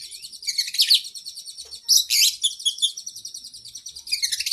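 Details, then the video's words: Oriental magpie-robin, a training song for cage birds with long varied phrases: dense high chattering trills and sharp bright notes in quick bursts, louder flourishes near the middle, continuous and busy throughout with no other sounds. "Masteran Burung kacer Gacor isian Panjang Paling Ampuh"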